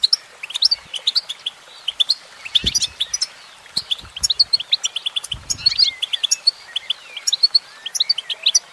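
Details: Singing female goldfinch delivers rapid, high tinkling twitters and chirps in uneven runs, a steady flow of short liquid notes with a few faint low knocks in the background.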